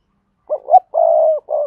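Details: Spotted dove from Đồng Nai, Vietnam, a lure bird calling double-voiced (giọng đôi) to attract wild doves: a single mellow phrase of two quick rising notes, a drawn-out steady coo and a brief closing hoot.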